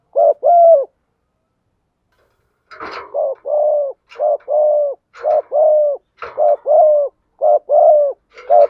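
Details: Female spotted dove cooing to rouse a male: one pair, a two-second gap, then a regular series of short and long low coos, with faint tapping noises.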